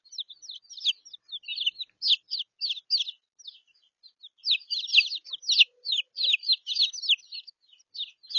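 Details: Mixed flock of three-week-old and three-day-old chicks huddled together for warmth in Australia after the older ones were abandoned by their mother. Rapid shrill cheeping from many birds in bursts, briefly pausing near the middle.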